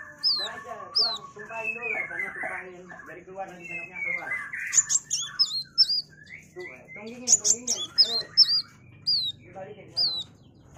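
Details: Kolibri wulung, a sunbird singing as a master song for training magpie-robins: thin, very high hooked notes repeated over lower chattering and buzzy phrases from other birds.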